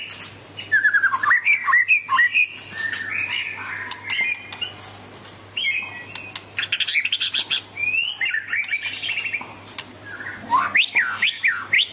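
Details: White-rumped shama of the Medan type singing a long varied medley: whistled slurs, rapid chattering bursts, squawky notes and high sharp chips in quick succession, with a faint steady low hum throughout.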